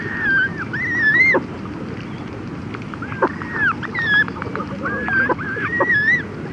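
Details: Close-up of Red-gartered Coot adults and chicks calling to each other: a run of arched, whistled notes, some dropping sharply, spaced irregularly across the clip over steady low background noise.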